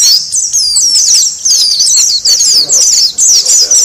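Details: Oriental white-eye chatter, used to draw in wild birds: rapid high squeaky twitters in bursts of about a second each. The bursts are separated by short dips, and several birds overlap.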